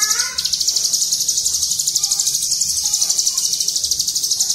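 A Bar-winged Prinia pours out a high, rapid, unbroken stream of dry chipping notes, about eight a second, after a brief lower slurred opening.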